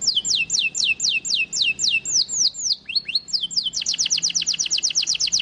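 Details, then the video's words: A caged white-eye (pleci) sings rapid, high, downslurred whistled notes, about four a second, then breaks into a quicker, tighter burst of sharp notes. "Pleci Tembakan isian Mantap!!!"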